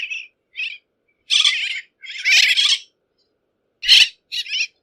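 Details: Bridled tern calling in rough, grating bursts of varied length, some short and clipped, others drawn-out and buzzy, separated by clear silences.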